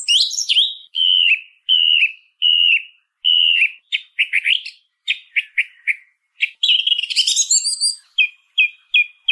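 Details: Song thrush song built from repeated phrases: five or six clear whistled notes at one steady pitch, then a series of sharp clicking notes, a rapid high chattering flourish, and three matching whistles to finish. No other sounds.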